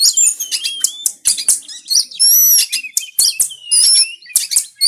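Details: White-rumped shama, a caged bird, in a training recording meant to make lazy birds sing: rich varied song of clear whistles, rapid chattering bursts and harsh buzzy notes, delivered in quick phrases.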